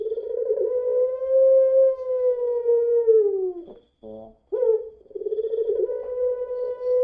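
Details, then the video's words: A puter pelung spotted dove lure recording: sustained mellow cooing slowly falls away, pauses briefly after a rough burst, then resumes as a long level note with a fluttering texture. "PUTER PELUNG NANGIS SAMPAI BATUK | PANCINGAN PUTER PELUNG"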